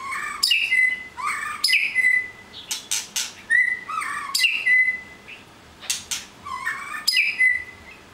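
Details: White-rumped shama repeating a phrase of a low swoop, a sharp click and a level whistle about every one and a half seconds, with extra clicks between.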